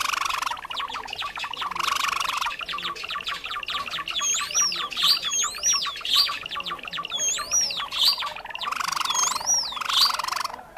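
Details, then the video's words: Java sparrows recorded as a trapping lure, birds of rice fields and farmland: a dense run of sharp clicking chips and a steady low buzz, with bright swooping whistles recurring about once a second in the second half. "SUARA PIKAT BURUNG GELATIK JAWA"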